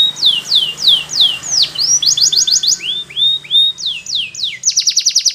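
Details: Spanish Timbrado canary in morning song, repeating downslurred whistles and quick clipped notes before a fast trill, over a steady low background hum.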